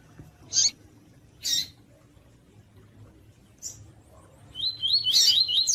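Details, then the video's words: Female Double-collared seedeater calls, used to stimulate males, mixed with 'tui tui fibra' song: three separated sharp chips spaced about a second apart, then a loud, fast, wavering high whistled song that trills on. "COLEIRO TUI TUI FIBRA E PIADO DE FÊMEA DE COLEIRO PARA ESQUENTAR PAPA CAPIM E ESQUENTAR COLEIRO TUI"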